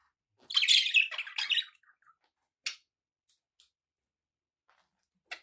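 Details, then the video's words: Pet budgerigars give a short burst of harsh, scratchy warbling chatter in the first second, followed by a few isolated clicks and brief chirps separated by silence. "relaxing budgie sounds for your birds"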